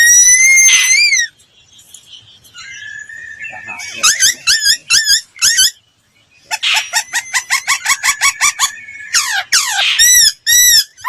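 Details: Laughingthrush song used to train voices: a bright arched whistle phrase, a quiet gap, then quick series of sharp upslurred notes and a rapid run of harsh stacked notes, closing with repeated arched whistles.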